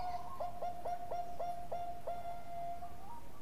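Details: Bangkok-type zebra dove singing actively, a prized 'golden voice' bird used as a lure to prompt other doves to sing: a steady mid-pitched cooing tone broken by about seven quick stuttering hiccups, then a slight upward lift at the end.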